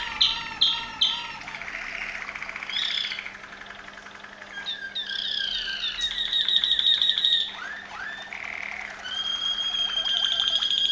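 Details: Waterslager Malinois canary of Veliko Gradiste, Serbia, with a varied song: sharp falling chips, soft gurgling passages, a loud pulsed roll, curved bubbling tones and a final high steady trill.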